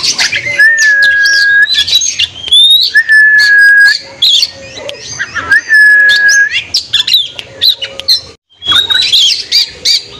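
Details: Oriental magpie-robin singing in the afternoon to provoke rival birds, as therapy for young or low-spirited birds: long level whistles held about a second, each alternating with bursts of rapid high chirps and sharp notes.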